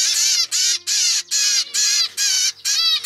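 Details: Normal grey zebra finch chick, second-generation young from a captive home breeding of pied parents, begging for food in a novel way: harsh, buzzy, harmonic rasps about half a second long, repeated seven times with short gaps. A faint steady low hum sits beneath.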